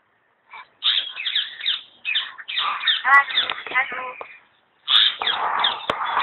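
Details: Common hill myna talking at Alipore Zoo Garden, Kolkata, India: bursts of raspy, speech-like babble with clear whistled notes and a rattling series, a brief silent gap, then more loud chattering.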